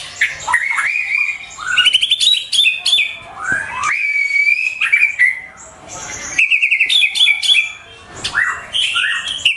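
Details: White-rumped shama song meant to lure and tutor pet birds: mixed whistled phrases, warbles and sharp chips in bursts separated by brief pauses.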